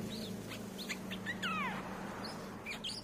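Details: Streak-eared bulbul, a recording used as a lure sound to attract birds. Scattered short squeaky notes, one longer falling slurred note near the middle, over a steady low hum.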